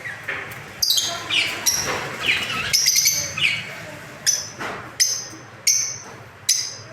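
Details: Breeding lovebird colony with peach-faced, opaline, Fischer's and split mutation birds and babies; sharp, piercing single calls repeated roughly every second, some with rasping edges, over quieter background chatter from the flock.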